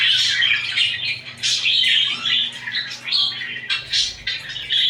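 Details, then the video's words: Pet budgies, cuddling and fighting, keep up a busy stream of scratchy, buzzy chirps and squawks in quick overlapping phrases inside a small room. "#Budgie cuddling #Budgie fighting, #Budgie chripping"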